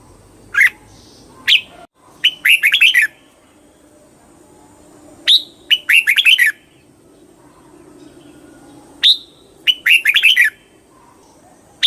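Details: Red-whiskered bulbul repeating lively, cheerful phrases of rapid warbled and whistled notes, a few sharp single notes between phrases, against a faint low background hum.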